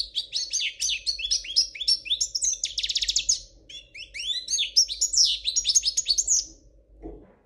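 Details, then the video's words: Spanish royal goldfinch with error-free song: a long rush of high chirps and twitters broken by a dry rolling trill near the middle, ending with a faint knock. "تغريد الحسون الاسباني الملكي خالي من الأخطاء"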